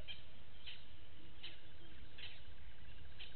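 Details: Blacksmith lapwing family with one chick at Gowrie dam waterhole, Djuma Game Reserve, Sabi Sand Wildtuin, South Africa, recorded at 06:28 on 09/08/18 by a live waterhole camera: sharp metallic clinks repeated about every 0.7 seconds over low rumble and faint pulsing drone.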